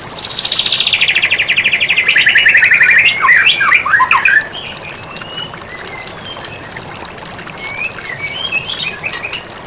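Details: White-rumped shama (murai batu) in a masteran training recording: a long buzzy trill sliding steadily downward, then quick twisting chattery notes, followed by softer scattered whistles after a sudden drop in loudness.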